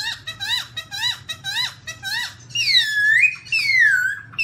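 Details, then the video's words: Black-throated laughingthrush singing on a rocky mountain in 2016: six quick, repeated upswept notes, then two long, sweeping whistles that rise and fall, over a faint constant low hum. "Garrulax chinensis - Birds singing voice well on the mountainrocky"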